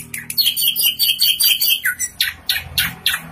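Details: Tame saeran drongo in full, rich song: a lively run of clear whistled and chirped notes, some sliding downward, delivered in quick separate phrases about three per second.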